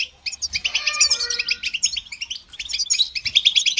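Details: European goldfinch song, offered for listening and training birds. Quick, crisp high chirps repeat in rapid series, with a soft lower whistled tone running beneath for part of the phrase.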